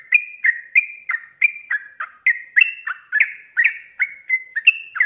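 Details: Sooty-headed bulbul in rapid, bubbling song, used as a training recording for other birds: short liquid notes, some rising and some falling, about three a second without pause. Nothing else is heard.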